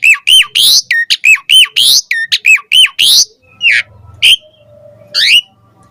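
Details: Asian pied starling singing in the morning to lure other starlings into song. Fast, loud run of harsh, harmonic whistled notes, then a sparser stretch with a few sliding calls and quiet gaps.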